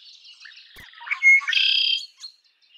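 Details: A red-winged blackbird's song: soft chattering notes lead into a clear rising note, then a strong buzzy trill held for about half a second. Faint calls of other birds sit in the background.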